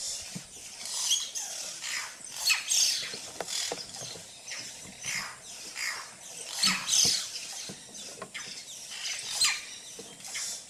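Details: Yellow-rumped cacique (xexéu) making a lot of noise: dense, overlapping bursts of harsh, high chattering and squealing notes, rising and falling in loudness every second or two, with no other clear sounds.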